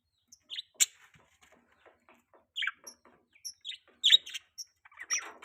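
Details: Budgerigar during mating season giving scattered short chirps, sharp upward and downward flicks spaced irregularly with quiet gaps between them.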